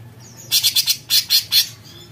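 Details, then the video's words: Short, loud, raspy besetan phrase from an actively singing cucak cungkok bulbul: about seven harsh buzzy pulses, the last three longer and more spaced. "Besetan Cucak Cungkok Gacor"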